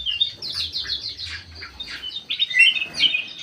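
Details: Aviary bulbul, golden form with white eyes, in full song: a quick cascade of chattering notes, a short lull, then louder sliding whistles and warbles.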